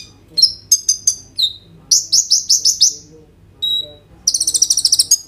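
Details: Kolibri ninja sunbird singing in gacor style with roll and tembak fills, recorded on an Oppo A37f phone: high thin chirps and sharp falling notes, then a quick buzzy roll of repeated notes near the end, over a low steady hum.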